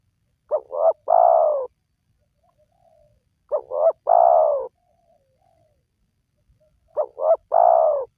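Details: Spotted dove call for luring wild doves: three-note cooing phrase, two short notes then a long drawn coo, repeated about every three seconds, faint soft coos between phrases, otherwise silent.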